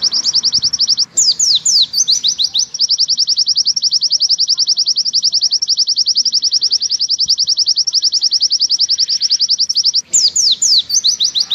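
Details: Oriental white-eye singing the long, clear 'nembak' song used to tutor other white-eyes: bursts of sweeping descending whistles frame a long, even run of rapid high chips repeated about three or four times a second.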